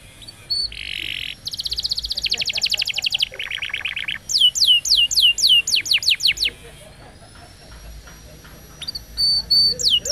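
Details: Vigorous canary singing meant as a lure for birds that have stopped singing. A buzzy burst leads into rapid rolled trills, then a run of quick descending sweeps, a long faint whistle and closing buzzy notes.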